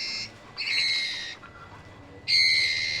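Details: Trotol birds, male and female together, giving long nasal buzzing calls, one fading in at the start and two more strong, steady bursts of nearly a second each, separated by quieter pauses.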